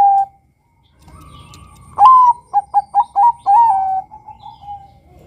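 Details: Male Bangkok zebra dove calling to lure rivals: a rising opening note, four quick staccato notes and a lengthy level coo trailing into softer cooing.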